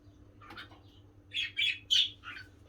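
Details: A gentle male pet cockatiel gives a short run of harsh, scratchy chirps, the loudest bunched together near the end.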